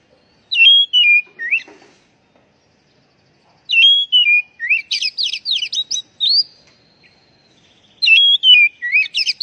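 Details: Kacer, the Oriental magpie-robin, whistling in a lure recording meant to make stressed, untrained birds sing again. Varied whistled phrases and dense rapid twittering come in three bursts with short silent gaps.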